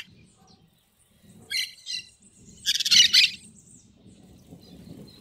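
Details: Wild green parakeets singing outdoors: a couple of brief chattering notes, then a loud rasping double screech, over a soft continuous low background hum.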